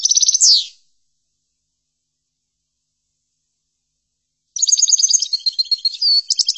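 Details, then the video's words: Chordonier-style European goldfinch song for tutoring: a short rapid trill ending in a falling slur, a long silence, then a fresh burst of high tinkling twitters and quick trilled notes. "لتحفيض الحسون chordonier"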